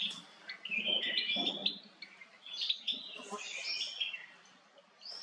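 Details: Male cut-throat finch, an estrildid finch kept as an ornamental bird, giving a busy run of short, bright chirps and twittering notes, irregular and tumbling, with a faint low murmur beneath.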